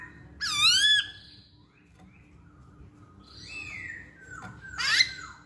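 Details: Masked laughingthrush calling as a lure for other songbirds: a strong rising whistle, a gap, then a longer slurred note and a sharp upswept call at the end.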